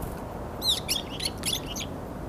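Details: A varied tit among several competing birds, January 2021; one brief burst of high, rapid, slightly buzzy chirps lasting about a second, with low background noise.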